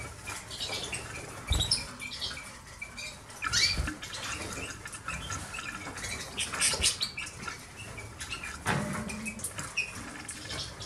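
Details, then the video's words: Caged goldfinch hybrids, five birds bred from canaries and Himalayan greenfinch, sing in scattered bursts of high chirps and short trills, with louder clusters about every two to three seconds over steady rustling and low background noise. "hybrides de chardonnerets"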